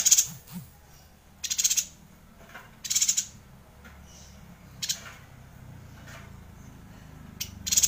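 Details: Rolling Yuhina song used as a tutor for White-rumped Shama; five high, buzzy chattering bursts at uneven intervals of one to two seconds, with a faint low background hum.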